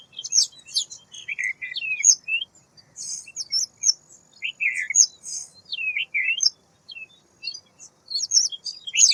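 A white wagtail gives bright, high chirps and twittering notes in quick bursts, several per second with short pauses, against an otherwise quiet background.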